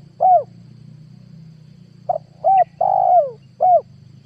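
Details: Spotted dove lure call, 2022, for drawing in wild doves to trap. A single mellow coo, a pause, then a four-note phrase with a long falling coo in the middle, over a steady low hum.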